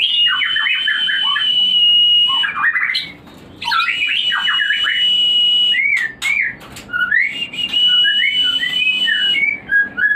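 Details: White-rumped shama singing as a lure to stimulate breeding: bursts of rapid sliding, downward-swooping whistled notes alternate with long, steady, high whistled tones held for a couple of seconds.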